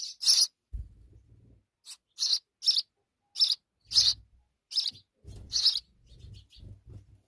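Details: House sparrow mother with her babies: bursts of sharp, high chirps in short clusters, with gaps and low thumping rustles between calls.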